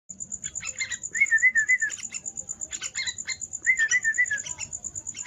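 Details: Young yellow-vented bulbul calling: warbled chirping phrases that dip and rise, in two bursts, mixed with rapid scratchy chatter. A steady pulsing high-pitched whine runs throughout.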